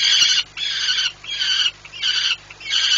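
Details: A male peregrine falcon keeps yelling while observing flights at PKN Orlen, Płock, Poland, on 2 July 2017. Five loud, scratchy, harmonic screeches follow in uneven rhythm.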